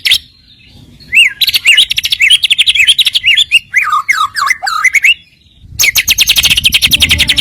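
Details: White-rumped shama filler song used as a lure to make rival birds sing: a rich, varied run of rising and falling whistled phrases, a short silence, then a dense, rapid high chattering burst.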